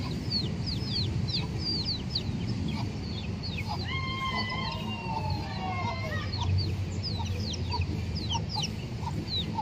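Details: Free-range chicken in a park: a rooster gives one long, drawn-out crow lasting about two seconds, amid constant chirping of many small birds and a low background rumble.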